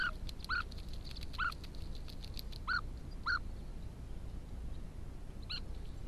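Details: European bee-eaters building nests near a house at São Marcos da Serra, Algarve, Portugal, give short, rolling mid-pitched calls, five or six notes at irregular intervals, over a steady low rumble of wind or distant noise.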